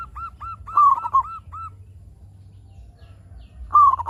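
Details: Local zebra dove singing to lure other zebra doves into calling: soft looping notes merge into a quick cooing phrase, then silence apart from low rumble before another phrase begins.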